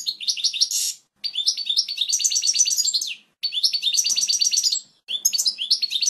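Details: Strong, clear European goldfinch song meant as a tutor recording for young birds: quick tinkling twitters and buzzy trills in several bursts separated by brief silences.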